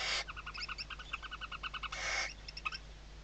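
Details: Western barn owls at a webcam nest, Riet Vell, Ebro Delta, Spain, 2023, chicks tucked under the mother: a loud hiss, then a rapid run of about a dozen clicking chirps, another hiss and more chirps.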